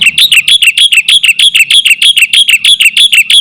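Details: Black-winged myna in lively song, used to lure other mynas. A steady, fast series of loud, ringing, chattering notes repeated evenly throughout.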